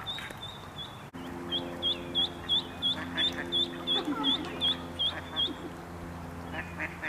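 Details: Mallard duckling alone on a pond, calling in distress for its mother: a steady run of high, sharp, down-slurred peeps, about three each second, over a constant low humming drone.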